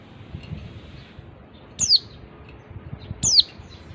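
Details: Female oriental white-eye calling, used as a lure to get silent males singing: two thin, high whistled notes, each sliding sharply downward, about one and a half seconds apart, over a faint low background hum.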